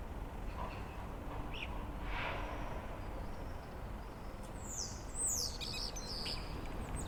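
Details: A male Common Starling, a neighbour seen from a window during lockdown, sings to attract females and warn rivals the territory is occupied: a burst of high, thin whistles and sliding squeaky notes, faint chirps earlier, over a low hum.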